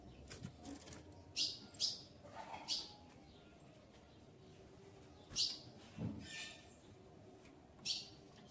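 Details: Female ultramarine grosbeak, eager to mate, gives loud clipped chips in pairs and singles across several seconds, with soft background noise.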